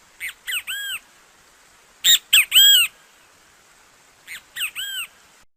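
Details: Great kiskadee, a bird of Brazil, repeats its song three times: each phrase has two quick harsh notes leading into a longer curved note. The first and last phrases are softer and the middle one is loud.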